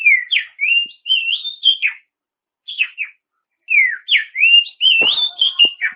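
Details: Oriental magpie-robin lure song for provoking rivals: sweet rising and falling whistles grouped in three bursts, with a short scratchy phrase in the middle and a sharp knock near the end.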